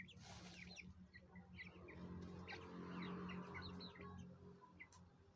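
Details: Twenty-day-old chicks, nine in all, give quick thin chirps, some slightly rising, scattered over a loud low hum and a burst of hiss at the start.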